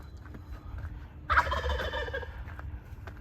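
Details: Wild turkey tom that joined a hiker on a trail and led the way, giving one loud, rattling gobble lasting about a second amid footsteps and trail noise.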